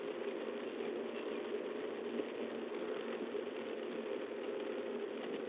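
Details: A muffled, even mechanical hum with a steady midrange drone runs throughout, with no animal sounds.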